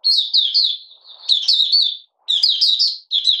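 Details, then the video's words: Malaysian Oriental white-eye (mata puteh), a caged hobby bird in minor moult and out of form, opening into song on 31 July 2023: high, bright warbling phrases in rapid strings of slurred chirps, broken by short pauses. "Malaysian Mata Puteh Buka Sing"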